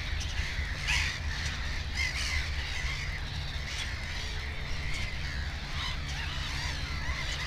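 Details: Several black-headed gulls call near a nest with two chicks, their harsh, rasping cries overlapping in quick succession, loudest early on, with a low constant hum below.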